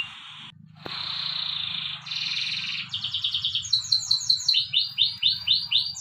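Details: Morning training song of a domestic canary: after a short silence, a long even high trill, then a buzzier rolling phrase, then clear descending whistled notes repeated about four per second, slightly accelerating, with faint low hum underneath.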